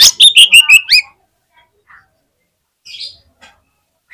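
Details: Contest fighter Oriental magpie-robin gives a brief, loud volley of six quick sharp notes ending in a rising whistle, followed by near silence with a few faint distant chirps.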